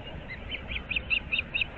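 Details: Osprey at a nest in Naples, Florida, 15 April 2024, 06:37: a short string of soft, high chirped whistles that strengthen over under two seconds, against low rumbling noise.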